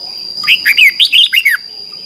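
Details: Red-whiskered bulbul in a morning singing contest: one lively phrase of six quick, clear whistled notes, each curving up then down, over a steady thin high tone.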